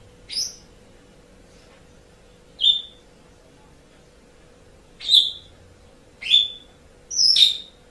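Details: Asian pied starling calls for training pet birds: five separate sharp, downslurred whistled notes spaced one to two seconds apart, over a faint steady hum.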